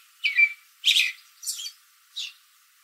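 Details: In a backyard tree on a late afternoon, an American robin calls to other robins; four separate sharp, high chirps spaced roughly half a second apart, each fading slightly.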